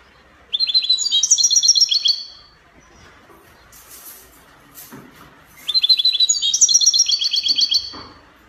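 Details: Copia-style song of a European goldfinch from Morocco: two bursts of fast, high, tinkling trills each lasting over a second, separated by a pause with soft rustling and faint clicks.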